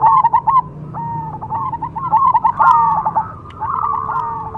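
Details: Zebra dove of the Cemani variety singing a quick series of soft, bubbling coos, clipped notes tumbling into longer rolling phrases, with a faint low background hum.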